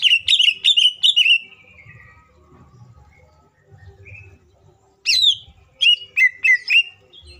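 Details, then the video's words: Green leafbird (cucak ijo) song played as a lure to make others sing: a rapid run of bright falling whistles, a quiet pause with faint low noise, then more loud sliding whistled phrases. "CUCAK IJO FULL ISIAN PALING MEWAHH❗AMPUH BUAT PANCINGAN IJO AGAR CEPAT BUNYI DAN EMOSI!"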